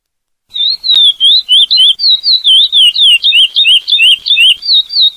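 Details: Chestnut-bellied seed finch (curió) singing the classic "Praia" song type: a fast run of clear, high whistled notes, slurred up and down, about three or four each second with no pause.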